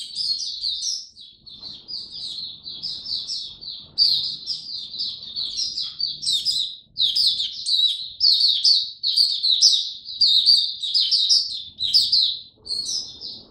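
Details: Long 'buka sing raja' performance by a caged oriental white-eye in cold rainy weather: an unbroken run of quick high chirps and trills, getting louder and more excited toward the end, with a low indoor hum.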